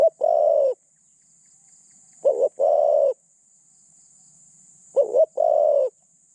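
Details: Caged decoy spotted dove with a medium-pitched voice, kept to lure wild doves: three low cooing phrases about every two and a half seconds, each a quick wavering double note followed by a longer steady coo, with a faint high hiss behind.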